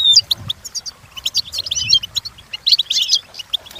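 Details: Training song of a European goldfinch: jumbled twittering notes and tight, bright trills. Louder busy passages come near one and a half and three seconds. A faint low rustling runs in the background.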